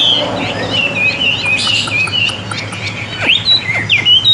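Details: Caged, tame Chinese hwamei: softer warbled whistles early on, building into sharp, loud upslurred and downslurred notes toward the end, with some background noise.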